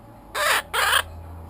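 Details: Pet female Quaker parrot, ten weeks old, kept at home: two loud, harsh, raspy squawks about a quarter second each, given back to back with a short gap, with faint room hum behind.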